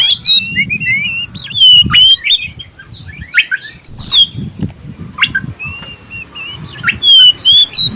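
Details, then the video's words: Clear-voiced black-breasted oriental magpie-robin lure song used to encourage other magpie-robins to sing: quick bursts of varied whistles, trills and high chirps in irregular phrases, over faint low rumbling background. "suara pancingan kacer dada hitam suara jernih"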